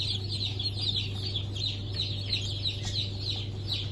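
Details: A crowd of freshly hatched chickens of Sultan, Türken, Australorp and Sussex breeds, 23 March 2024 hatch, giving rapid overlapping shrill cheeps without pause, backed by a constant low droning hum.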